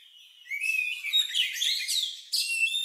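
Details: Unusual song of an Oriental magpie-robin, described as lovebird-like and used to prompt other birds to sing. It opens with a thin rising whistle, then a dense run of bright, twittering, scratchy notes, and a fresh burst near the end.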